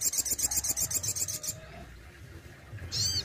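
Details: Captive-kept Crested Jay giving a rapid, evenly pulsed rattle lasting about a second and a half, then a pause and one sharp arched note, against low background rumble.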